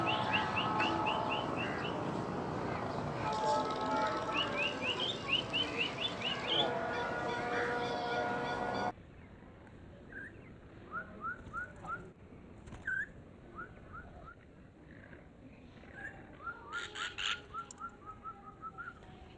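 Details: Budgerigar during free-flight training on a rooftop, giving quick, bright chirps in short bursts over a humming background of voices or music.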